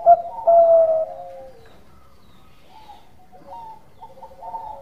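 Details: Singing zebra dove of the Bangkok type, relaxed yet melodious, meant to spur other birds to sing: a loud, smooth, slightly descending coo opens, then fainter answering coos trail behind.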